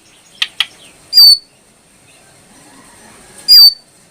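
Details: ['Brown prinia giving two loud, shrill notes that slur downward, about 2.4 seconds apart. Two short ticks come before them, over a quiet background.']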